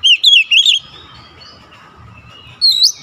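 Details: Oriental magpie-robin song: a quick run of four bright, warbled whistles in under a second, a pause of nearly two seconds, then a high, rising, slurred whistle.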